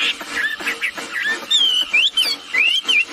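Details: Female and male wambi birds calling actively, used as a lure to make other birds call: clear whistled notes, some rising and some falling, in quick bursts, with faint chattering behind.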